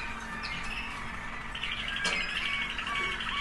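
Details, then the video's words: Waterslager canary singing, one of several birds with varied song qualities: warbling, bubbling notes with a higher rippling trill in the second half, over a steady background hum. "Potpourri of Waterslager canary songs"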